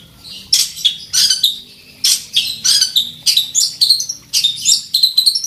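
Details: Long-tailed shrike, a fighting bird in full mimicry song while seeking a rival, delivers harsh, scratchy phrases mixed with thin whistles, grouped in bursts separated by brief pauses.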